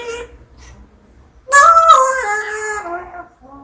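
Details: Talking pet parrot indoors at home: after soft voice-like murmurs, a loud, strained harmonic utterance of about a second and a half, starting high and stepping downward in pitch before fading.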